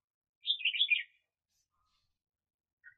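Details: Red-whiskered bulbul kept as a decoy bird for trapping, recorded in 2021: one quick burst of bright, jumbled chirping notes lasting under a second, then near silence with a faint short note at the end.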